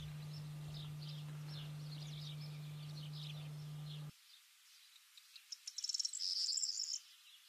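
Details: Corn bunting (Emberiza calandra) song: a few dry ticks speed up into a brief, high, jangling rattle like shaken keys, preceded by a low electrical hum and faint distant birds.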